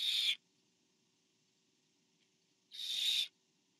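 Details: Barn owl, 24 September 2015, nest cam during a parent's delivery to the fourth owlet; two softer, noisy hissing screeches, the second about half a second long, separated by over two seconds of near silence.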